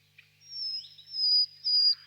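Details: ['Nightingale singing quietly in the distance on a warm spring evening in a birch grove; a long, pure, high whistled note held steadily, preceded by a soft short chirp, with a calm, quiet background.']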